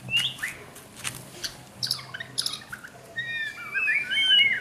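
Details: White-rumped shama song during training: varied whistled phrases, rising and falling, with short chirps and longer sliding notes toward the end, over faint background noise.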